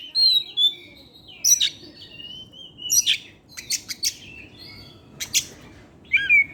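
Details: Oriental magpie-robin in the evening, sung as a lure for others of its kind: sparser phrases of long sweet whistles separated by sharp scratchy chips and short gaps.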